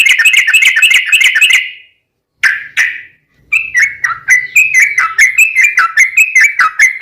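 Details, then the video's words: Rapid rattling trill of a sooty-headed bulbul, used to lure other bulbuls into singing. A dense burst of notes fades out, two short notes follow, then a longer run of looser, rising and falling whistled notes. "trucukan gacor ROPEL PANJANG buat pancingan trucukan agar bunyi"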